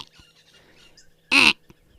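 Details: A lilac-breasted roller in the African bush, possibly in the tree holding the camera, gives one loud, harsh, rasping squawk lasting about a quarter second, over a quiet background with faint distant chirps.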